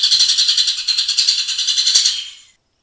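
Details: Grey-cheeked bulbul giving a dense, coarse burst of rapid-fire song: a buzzy rattling trill of fast steady pulses lasting about two and a half seconds, fading out to silence.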